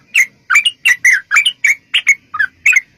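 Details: Short burst of Yellow-vented bulbul fighting song, a lure to prompt replies: about a dozen separate gurgling, slurred whistled notes in three seconds, some notes doubled.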